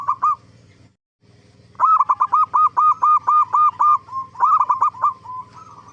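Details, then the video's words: Perkutut (zebra dove) lure song to prompt other zebra doves to answer: a short phrase, a brief gap, then a long, fast run of evenly spaced rounded cooing notes, almost four per second, slightly uneven toward the end. "Suara Burung Perkutut gacor AMPUH pancingan JUARA BURUNG PERKUTUT BIAR NYAUT BUNYI"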